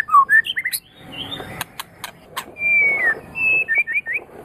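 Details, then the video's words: Magpie-robin giving sweet whistled phrases: quick slurred notes, a long steady high whistle, then a cluster of short rising and falling warbles over faint background noise. "Kicau nya murai ini memang sangat HEBAT NIE"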